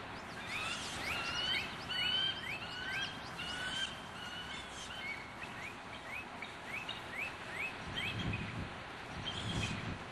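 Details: A bald eagle at its nesting area in the Florida Everglades, heard in the cool pre-dawn in winter, gives a thin, high chittering series of quick, slightly falling notes, about one or two a second, over a steady hiss.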